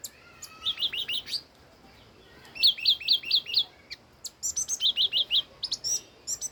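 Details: Song of an old wild red-whiskered bulbul: clear, lively whistled phrases of four to five rapid swooping notes, repeated in bursts with brief pauses, over a quiet background with occasional high chirps.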